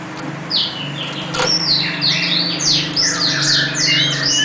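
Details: Oriental magpie-robin (kacer) singing: repeated high swept whistles and chirping phrases over a steady humming background.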